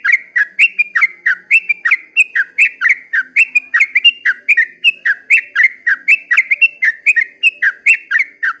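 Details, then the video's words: Yellow-vented bulbul's long 'ropel' dawn song: a steady, unbroken string of gurgling, slurred double notes, about three each second, lasting over eight seconds against a quiet background. "kicau suara trucukan ropel panjang di waktu fajar"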